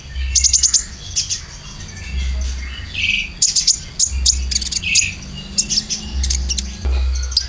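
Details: Konin filler song played as a lure for caged birds. Clusters of very high sharp chips mix with short buzzy notes, over a low rhythmic hum.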